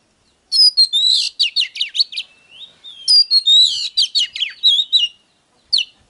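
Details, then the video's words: Oriental magpie-robin song for provoking a male: two long bursts of rapid, loud whistled notes, many sharply descending, run together in a rich chattering warble, then one final short phrase. "Chòe than HÓT"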